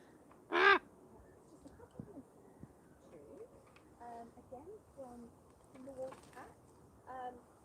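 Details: A captive Common Raven, trusting of its keepers and being carried over by a handler, gives one loud, harsh croak, then several softer throaty calls over the next few seconds, with a person talking in the background.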